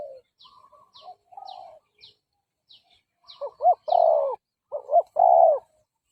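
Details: Decoy spotted dove cooing to draw in and provoke rival males; soft, quiet notes at first, then loud, mellow coos rising and falling in clusters, with faint high chirps of other birds throughout.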